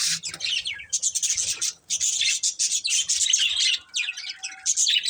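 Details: Several pet budgies chirping, rapid warbling phrases with quick descending slurred notes, in bursts broken by short pauses, with a faint steady tone in the background.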